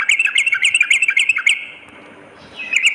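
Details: Sooty-headed bulbul lure sound for morning and night: a brisk run of bright, bouncing chirps lasting over a second, a quiet stretch, then a few more quick notes.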